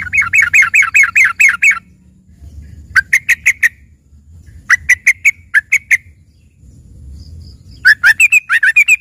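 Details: Sooty-headed bulbul song, offered as 'isian' tutor material for green leafbirds: three bursts of quick, bubbly, chirping notes repeated rapidly, separated by short pauses, over a faint low rumble.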